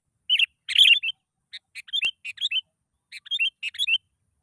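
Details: Sooty-headed bulbul song used to provoke reluctant bulbuls into singing: several loud bursts of quick, liquid, descending notes in three groups, with a sharp click midway.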